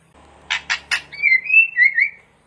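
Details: White-rumped shama song used as master training audio for caged birds: three harsh broadband rasping notes, then a smooth run of clear warbled whistles wavering up and down.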